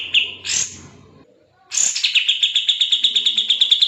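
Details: Fast 'gacor speed rapat' singing of a kapas tembak bulbul used to train murai batu, cucak ijo and kacer: two short high notes, a brief pause, then a bright burst leading into a steady string of quick, even chirps.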